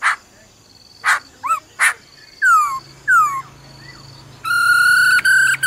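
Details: Female laughingthrush giving 'ro ro' calls to stir up a male: harsh short bursts and rising, falling whistled slurs, then a long steady buzzy note broken into several pieces near the end.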